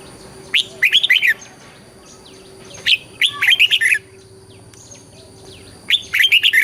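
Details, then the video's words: Red-whiskered bulbul song in southern Thai master-pattern style, played to stimulate birds and teach young birds: three bursts of a whistle and rapid warbling about every 2.7 seconds, faint softer chirps between, constant electronic hum. "เสียงนกกรงหัวจุก ขวัญใจสายเบิ้ลอาชีพ ฟังแล้วคึกเหมือนเดิม นกไม่คึกห้ามฟัง"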